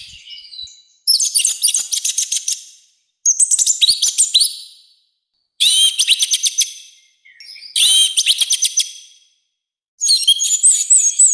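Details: Orange-headed thrush giving loud, coarse training song in five separate bursts roughly two seconds apart, each a dense rattle of rapid harsh notes with a few thin whistles between bursts.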